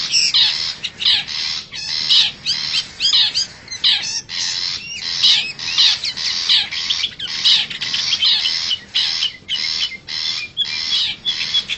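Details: Wild long-tailed shrike in forest, a lure recording to attract wild birds: fast, scratchy chattering bursts in rapid succession, varied with squeaky and slurred notes.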